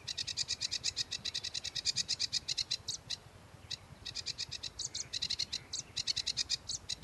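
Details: Varied 'tembakan' song of a sedge warbler: long runs of rapid, harsh buzzy notes delivered several per second, with short pauses and a few stronger rasping notes.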